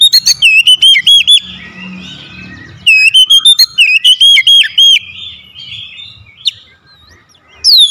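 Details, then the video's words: Lure recording of an oriental magpie-robin aimed at getting reluctant birds to sing: rapid looping whistles and crisp chips repeated in quick succession, a soft murmuring interval, another bright phrase, then near quiet. "KACER PEMIKAT KACER MALAS BUNYI LANGSUNG TERPANGGIL IKUT GACOR"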